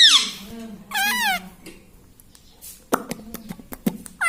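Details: Caged-at-home talking parrot imitating words like "mummy": a high squeak, then a wavering harmonic spoken-sounding phrase, followed by a string of sharp clicks and taps against a steady low room hum.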